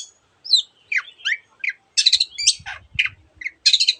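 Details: Long-tailed shrike producing an assortment of mimicked notes: slurred whistles, harsh buzzy bursts and short chirps at irregular intervals, with faint low thumps behind.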